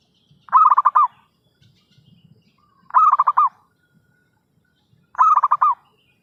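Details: Zebra dove lure call for trapping: three cooing phrases about two seconds apart, each a quick stuttered series of soft mellow notes ending in a short roll, with faint low rustling between phrases.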